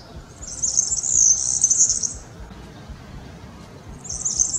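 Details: European serin, a streaked yellow bird repeating a rather metallic melody: a sizzling high jingle for about one and a half seconds, a short pause, then the next phrase starting.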